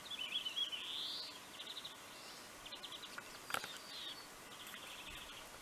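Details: Pine grosbeak calling at Neljän Tuulen Tupa, Finland, in March 2023: clear high whistled notes, some rising and falling, in quick uneven runs, with soft chirps and steady background hiss.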